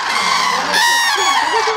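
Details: Common cranes in the Hula Valley, Israel, a stopover for about 100,000 cranes migrating to Africa, including a family trio of two adults and an offspring, give loud rolling trumpeting calls from many birds at once, overlapping into a dense chorus, a person's voice faintly underneath.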